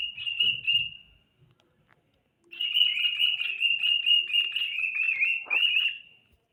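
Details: A pet cockatiel (Nymphicus hollandicus) whistles a sustained, wavering high tune, pausing briefly before continuing.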